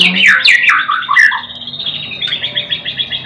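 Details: White-rumped shama song: loud, varied fluted whistles sliding down in pitch, then a series of quicker, evenly repeated high notes, over a quiet low background hum.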